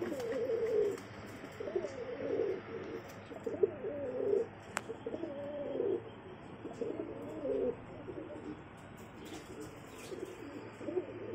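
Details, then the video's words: Pigeon cooing: low, throaty, rolling coos repeated roughly every one to one and a half seconds, with a steady background hiss and an occasional sharp click. "beautiful 🦃 sounding pigeon 🕊 Birds"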